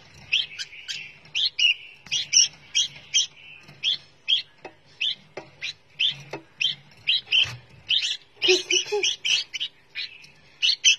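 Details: Fledgling red-whiskered bulbul kept in captivity before going to a new keeper, giving rapid raspy chirps in an uneven stream, some notes longer and slightly whistled, plus a brief burst of lower chattering near the end.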